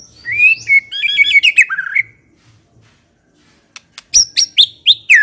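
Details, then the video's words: White-rumped shama, recorded for luring shamas into answering and singing: a rich, warbling phrase of fast whistles, then near silence with a few faint clicks, then loud, high, down-slurred notes repeated about twice a second. "memikat murai batu AGAR LANGSUNG NYAUT dan GACOR"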